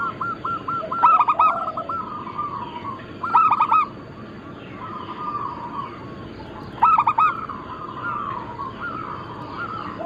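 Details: Chorus of local and Bangkok-cross zebra doves, a many-bird recording used for luring and training: bursts of rapid, bright staccato cooing notes at about 1, 3.5 and 7 seconds over continuous softer trilled cooing from other doves and a constant hiss.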